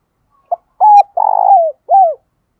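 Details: Spotted dove decoy with a loud, effective calling voice for luring wild doves: a soft pip, then three low hollow coos, the second long and buzzy with a downward slur at the end, in a clean recording.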